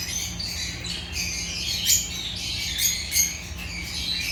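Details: Chirping Agapornis lovebirds, African pet birds: continuous high twittering from several birds, with a few louder piercing squeaks standing out above the chatter.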